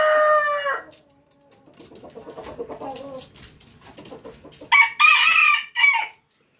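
A red junglefowl rooster gives loud, harsh crows, a strong opening note then a later burst of strained, rising calls, with quieter clucking and scratching between.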